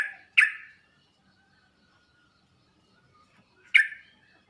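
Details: Sooty-headed bulbul recording for tutoring, used to make other bulbuls respond: one sharp, ringing downward note near the start, then over three seconds of near silence before a second matching note.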